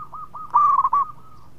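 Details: Local zebra dove singing in Indonesia: a few soft rolling coos lead into a loud, quick, bubbling cooed phrase that ends with softer notes.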